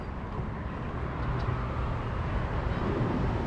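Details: Steady low rumble like an engine or boat motor, with no animal voice heard.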